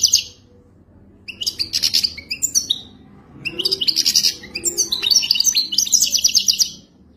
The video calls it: اجمل تغريد حسون وداني رائع جدا